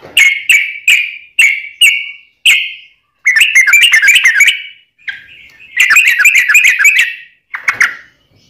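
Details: Yellow-vented bulbul in long ropelan song, used to train birds and lure wild bulbuls: a few separate bright chirps, then dense rapid bubbling bursts of warbled notes with short pauses between.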